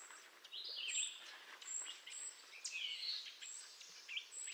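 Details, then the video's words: A Canada jay (grey jay) of eastern North America gives soft, scratchy whistled and chattering notes in irregular bursts, with thin high tones and a faint background hiss. "Grey Jay Call"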